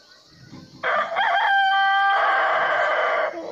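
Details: Rooster crowing: one long, loud harmonic crow rising into a steady held tone for about two and a half seconds, then breaking off, over low background hum.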